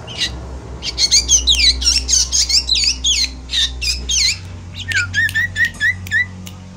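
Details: Chattering song of a Javan black drongo, offered as a lure for moulting birds: dense harsh squawks and twisting whistles, then a run of short downslurred whistled notes near the end, with a constant low hum beneath.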